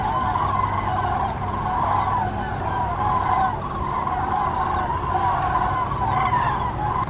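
Common cranes call almost without a break, a rolling chorus of loud, harsh trumpeting notes from several birds, over a low background rumble.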